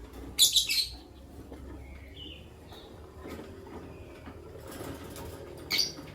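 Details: Morning sounds of a green Personata and an albino lovebird: a burst of rapid harsh high chirps at the start, a faint softer note mid-way, then a single sharp chirp near the end over low hum.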